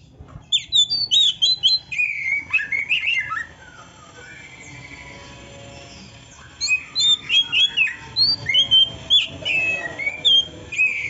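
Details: Kacer, or oriental magpie-robin, singing canary-imitation phrases: two bursts of quick, twisting chirps and slurred whistles separated by a quiet pause of about three seconds, with a soft background hum.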